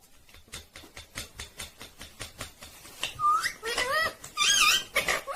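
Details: Talking Indian ringneck parrot: a rapid series of dry clicks at roughly one and a half per second, then several looping, whistled, speech-like syllables and a louder, harsher burst near the end.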